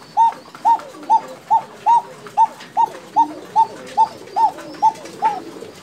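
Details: Female Bashiraj Koka pigeon, one of a running pair kept in Tangail, calling: a steady series of twelve short, arched, nasal notes, one roughly every half second, evenly paced against a quiet background.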